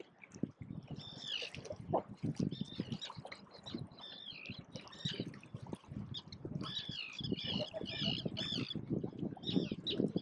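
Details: Gulls, parents guarding chicks that can swim but not yet fly, in the wild, filmed from one island to another about 15–20 m away; harsh, harmonic squawks in clustered bursts over a low rumbling background.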